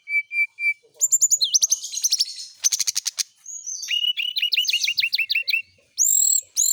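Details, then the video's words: Kept brown-chested jungle flycatcher given morning dew exposure so it sings often: three even whistles, then rich chattering trills, rattles and a rapid run of rising notes ending in high slurred whistles. "pengembunan SRDC di pagi hari biar rajin bunyi."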